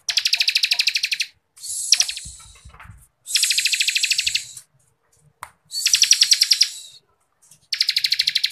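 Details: Bar-winged prinia (ciblek kristal) delivering tight, rapid ngebren trills for training contest birds: repeated high, rattling bursts of about a second each, interspersed with hissing buzzy phrases and short gaps, a few soft low thuds.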